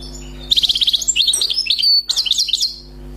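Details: Newly caught wild European goldfinch sings a brisk phrase: a rattling buzzy trill followed by sliding, chattering whistles, then a second short twittering burst, with a low hum underneath.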